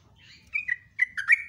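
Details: Sooty-headed bulbul (trucuk), caged, giving a few drawn-out whistled notes that glide downward, separated by short gaps.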